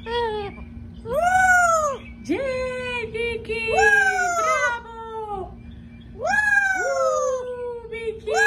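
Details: Amazon parrot kept as a pet, desperate for its owner, letting out long, loud, harmonic screeches that arch up and fall, several in a row with brief pauses, indoors over a low electrical hum.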